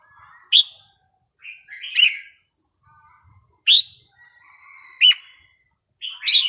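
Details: Red-whiskered bulbul song, a melodious style played for teaching young birds: single sharp downslurred whistles spaced a second or more apart, mixed with softer lower warbles, over a faint steady high tone.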